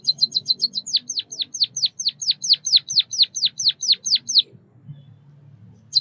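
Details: White-headed munia (Lonchura maja) singing, giving a fast run of high chips, then about fifteen thin, down-slurred notes in quick succession; faint low rumble beneath.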